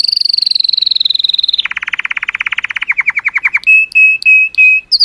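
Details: Colour canary singing to stimulate females: a high whistled tone drifting down, then fast rattling trills at two speeds, ending in clipped repeated whistles and a brief high note.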